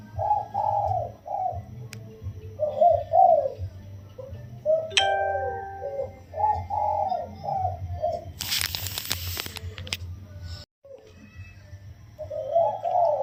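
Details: Caged wild spotted dove, 16 days in captivity, singing the single-kuk throw crow in a gentle voice: several series of low, rounded coos separated by pauses, with a loud rustling burst partway through.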